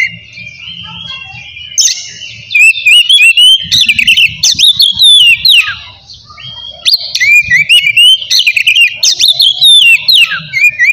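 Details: Oriental magpie-robin delivering vigorous ngeplong song to goad rivals and wake silent birds into singing; irregular runs of whistles, slides and buzzy notes repeated at a fast pace, with a brief lull and low background hum.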